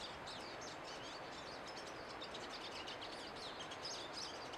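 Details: Several pine siskins singing together outdoors: a steady, dense chorus of high, thin twittering and buzzy chirps running through the whole stretch, set against a constant broad background hiss.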